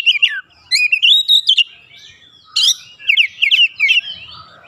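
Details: Kacer (Oriental magpie-robin), agitated, singing isian filler phrases: slurred rising whistles, a buzzy burst, then a quick series of rolling, warbled notes.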